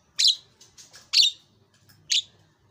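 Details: Javan myna in active song, uttering three loud, short, harsh squawks spaced about a second apart, with faint soft notes between them.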